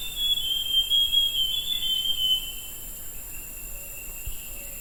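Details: Forest scrub robin song from 20 August: one varied, wavering whistled phrase lasting about two seconds, then only a constant high insect hum.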